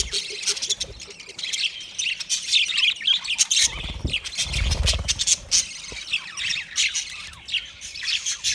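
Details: Budgies twitter and squawk in a steady busy chorus of quick high notes, with a deep rumbling noise swelling briefly in the middle.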